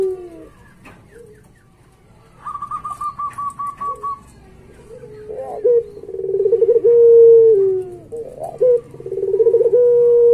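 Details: Barbary dove (puter pelung), a gacor singer used as a master recording for training pet doves. After a higher pulsed chatter early on, low rolling pulsed coos lead into long, steady, drawn-out hoots, repeated twice near the end.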